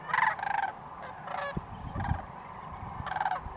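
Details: Sandhill cranes calling in Nebraska in 2019: loud, rolling, rattled bugles with strong harmonics, one burst at the start and another near the end, over a low, rumbling background with soft knocks between the calls.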